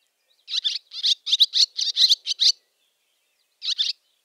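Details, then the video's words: Barn swallow giving a fast burst of scratchy, twittering chatter call notes, about eight in two seconds, then a short pause and one more pair. "Barn Swallow ? | Voice & Sounds | Chatter call"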